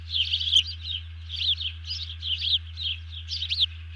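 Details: Alarm chatter of a bald eagle that has just grabbed a fish, a second eagle dropping low, recorded on 31 July 2020 before dawn: squeaky, wavering high notes repeated steadily, over a low droning hum.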